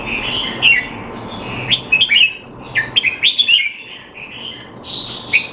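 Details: Caged red-whiskered bulbul kept in Singapore, trained on 25 December 2020 while out of form, gives rapid runs of bright, rising and falling whistled notes, with other birds chirping faintly throughout.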